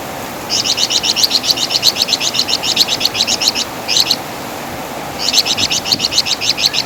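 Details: Master song of the flamboyan bird, called Wergan Jawa in West Java, for training songbirds; a long rattling series of rapid, high buzzy notes, a brief two-note phrase, then another fast chattering run.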